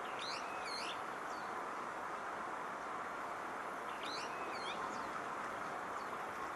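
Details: Brown-eared bulbul, Odawara, Kanagawa, Japan, June 21 2014: two bursts of squeaky, strongly slurred doubled notes about three seconds apart, each followed by a fainter squeak, under a continuous rushing hiss.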